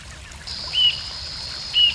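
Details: Rufous-tailed jacamar singing in Arapongas, Paraná, Brazil: two short, thin, level high whistles about a second apart, over a steady high insect-like hiss.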